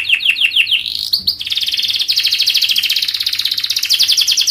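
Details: Canary song used as a lure to teach young canaries to sing: a run of quick down-slurred high notes, then a long, dense, fast trill held at a steady high pitch to the end.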